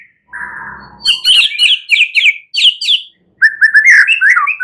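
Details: White-rumped shama singing at night to stimulate other birds; a steady low whistle, then a series of sharp repeated chip notes and a quick warbling phrase at the end.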